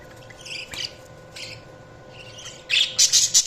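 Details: Budgerigar chirps, scattered and soft at first, then a loud run of quick, high, scratchy notes in the final second.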